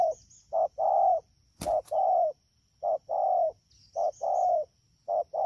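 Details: Wild-caught spotted dove, Đak Tô, 3 October 2019, rainy season, delivering regular double coos, brief then long, about once a second, with a sharp click midway and a faint steady high tone.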